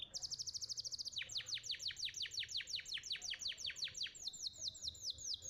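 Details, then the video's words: Young canary in fast song: a quick high trill, then a long run of rapid downward-sweeping whistled notes, nearly three a second, with quiet low background noise. "Pancingan Kenari Muda Cepat Bunyi & Ngeriwik"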